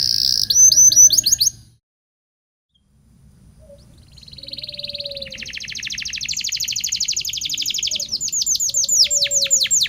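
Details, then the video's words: Local canary song used as a lure to teach young canaries to sing: a fast bright trill, then nearly a second of silence, then a long buzzy rolling trill. It climbs into rapid rising sweeps, all high-pitched. "Suara Burung kenari lokal super gacor bagus untuk pancingan kenari belajar bunyi"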